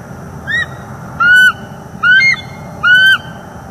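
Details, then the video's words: Bald eagle mating pair in northeast Florida on a morning in late October 2021, recorded by a live nest cam as the pair mated and called; four slurred whistled notes with bright overtones, each gently arched, about one every 0.8 seconds, over steady low background hum. "Bald eagles; morning mating and vocals"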